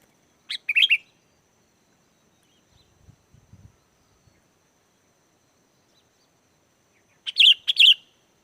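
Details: Sooty-headed bulbul in lively chattering song, used as a lure so wild bulbuls answer and join in: two short bursts of rapid, bubbly notes, one near the start and one near the end, with silence and a faint low rumble between.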